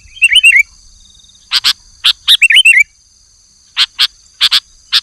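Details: Sooty-headed bulbul in full song: two bouncy phrases of looping, slurred whistles, separated and followed by pairs of short sharp chip notes. A constant faint high-pitched tone sits in the background.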